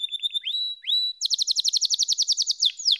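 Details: Singing canary: short steady trill, two upswept whistles, then a quick rolling series of bright chopped notes about four per second ending in a downslur.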